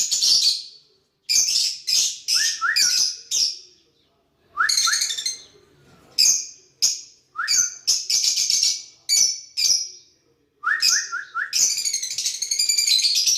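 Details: Lovebirds interacting in their own chatter: rapid strings of shrill chirps, some paired with short lower whistled notes, in bursts separated by brief pauses, ending in a long continuous buzzy chatter.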